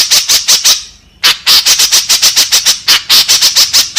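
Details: White-breasted woodswallow call used as a lure (masteran) to draw in others of its kind: rapid harsh, rasping squawks, about five per second, broken by a short gap near the first second, then resuming steadily.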